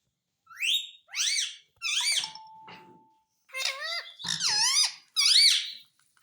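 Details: Pet parrot saying mummy and papa indoors: six squeaky, harmonic word-like bursts in two groups, each syllable sliding up and down, with a brief steady tone between groups in a small room.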